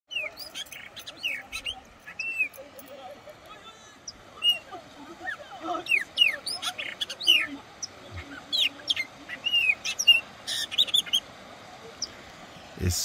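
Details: Wild chopi blackbird at the head of Cachoeira Castro Dantas, São Roque de Minas, Brazil: many sharp whistled notes and quick downward slurs scattered through a busy stretch, with a few louder clustered phrases near the middle and end.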